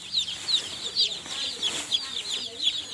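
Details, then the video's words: Newly hatched chicken chicks chirping: many thin, high peeps overlap almost continuously, several birds calling at once in a steady, busy chorus with no other clear sounds. "Baby Chicks Chirping Sounds"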